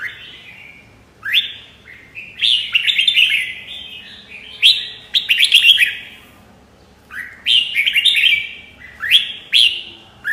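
A red-whiskered bulbul sings bright, bubbly whistled phrases about a second long, given in quick bursts with short pauses between them.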